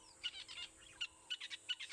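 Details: Red-billed buffalo weavers overhead at sunrise on 5 November 2016, during their breeding season and busy nest-building, giving harsh, chattering bursts of high notes about every third of a second over faint background noise.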